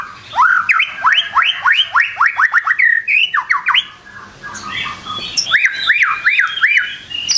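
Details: A white-rumped shama singing in the morning gives a quick run of loud, ringing up-and-down whistles, then harsher notes, then a shorter run of four bright sweeping whistles.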